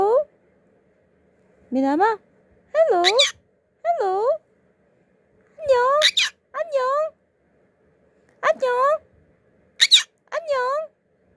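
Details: Indoor 14-month-old male conure saying hello in Korean, 'annyeong', as a series of tonal, wavering syllables mixed with brief harsh screechy notes every one to two seconds, in a quiet room.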